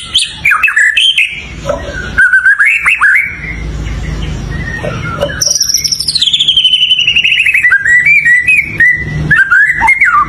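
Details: White-rumped shama song mixing quick chirped notes with a long, high whistle that slides steadily downward into a rapid, rhythmic series of repeated notes.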